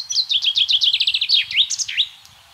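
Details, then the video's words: Common chaffinch singing in spring in the countryside of central France, 24 March 2012: a rapid series of sharp notes stepping downward, ending in a quick emphatic flourish, about two seconds long. "PINSON des Arbres/Chants au Printemps"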